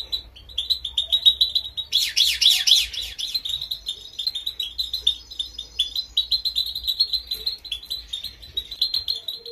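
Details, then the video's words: Female European goldfinch training song: a dense, rapid twittering of high tinkling notes, with a louder, fuller burst of chatter around the second and third seconds before the steady twitter resumes. "Female gold finch training song"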